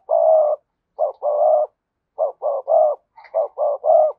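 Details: Cooing spotted dove, cườm sa type: three phrases in quick succession, each built from short clipped notes leading into a longer, even, low hooting coo.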